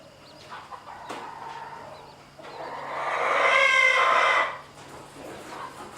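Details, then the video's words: Chickens on a farm with a mother hen and her chicks harassed by a rooster; a loud harsh drawn-out squawk swells for about two seconds mid-clip, with softer clucks and scratching before and after. "Momma Hen & Chicks being harassed by Rooster"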